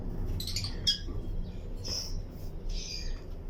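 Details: Lutino lovebirds in a colony aviary with other birds: a handful of separate shrill chirps and short squeaky bursts spaced about a second apart, over a strong low hum.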